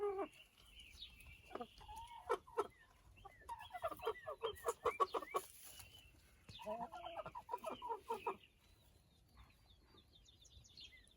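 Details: A backyard rooster, owner unsure what the sound means (described as whistling for an unknown reason), gives two rapid runs of throaty stuttering clucks about two seconds each after a few sharp notes; faint small-bird chirps behind.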